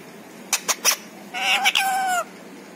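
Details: Pet parrot talking; a few quick clicks, then one drawn-out nasal, harmonic utterance with a falling tail, in a quiet room.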